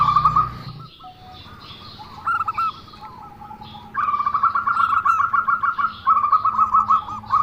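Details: Zebra dove giving an unusual-sounding call: quick stuttering bursts of clipped cooing notes, some rising then falling, in a few phrases separated by short pauses, with a low steady hum underneath.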